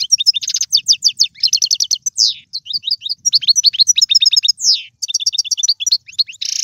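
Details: Caged Algerian goldfinch, a prized singer, pouring out continuous high twittering with fast trills, slurred downsweeps and repeated chirp series, dense and lively throughout.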